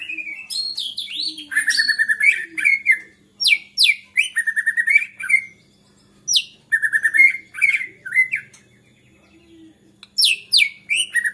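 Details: White-rumped shama in agitated full song, said to provoke rival shamas to sing: bursts of loud whistles, falling slurs and rapid stuttering trills, separated by short silences.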